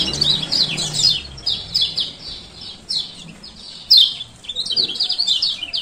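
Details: Lombok male lemon-bellied white-eye calling 'ciak ciak': sharp high chirps in short strings, one louder accent near the middle. The calls serve as a lure to get quiet birds to open their beaks.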